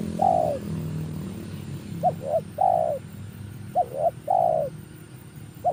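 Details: Spotted dove calling as a lure: repeated phrases of two short coos followed by a long, drawn, slightly descending coo, given about every two seconds over faint low background noise.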